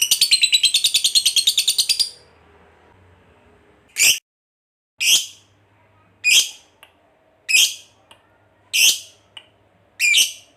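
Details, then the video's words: Lovebird fighter sings its long ngekek trill, a prompt for other lovebirds. A two-second high buzzy trill is followed by six sharp, separate chirps spaced roughly a second apart. "SUARA BURUNG LOVEBIRD NGEKEK PANJANG"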